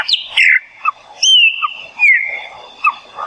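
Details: Chopi Blackbird from the Brazilian Cerrado giving clear whistled notes, some slurred and sliding downward, separated by short gaps, with brief lower chuckling notes between phrases.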